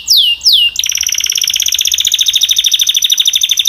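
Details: Canary song opening with two loud swooping whistles, followed by a long fast pulsing trill held at a high even pitch.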